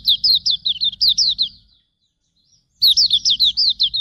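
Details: Hume's white-eye training song: a string of high, falling whistled notes, then about a second of silence, then another lively run of similar slurred whistles, with faint low hum beneath.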